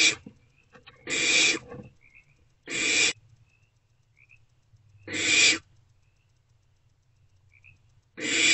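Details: Barn owlets huddled in nest box C in the early hours of 2 March 2024: a run of five harsh, broadband hisses, each under a second long, spaced irregularly, with brief high chirpy tones in the pauses.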